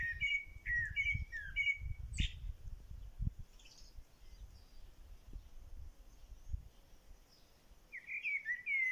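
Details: Bird singing in a corral: short whistled, slurred phrases repeated in quick bursts at the start, then a pause, and another bright whistled phrase near the end, over low rumbling background noise.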